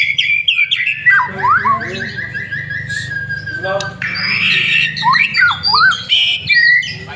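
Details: White-rumped shama lure song, varied and mimicking: falling slurred whistles, a burst of quick repeated notes, a long level whistle, then harsh noisy bursts and rising whistles, with constant low hum beneath.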